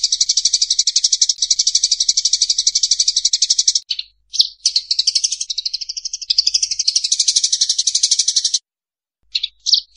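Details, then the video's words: Eurasian tree sparrows fighting: a fast, harsh run of clear high chirps, several per second, with two brief pauses before the chatter resumes. "SUARA BURUNG GEREJA TARUNG JERNIH"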